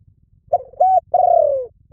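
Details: Spotted dove giving soft, low coos: two short hooted notes, then a long drawn-out coo that slides gently downward. A faint low rumble lies underneath.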